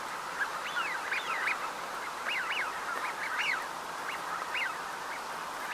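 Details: Eurasian wigeon at Uitkerkse Polder, Belgium, January 2017. A dozen or so whistled calls, some overlapping, rise and fall in quick succession above a constant flock murmur.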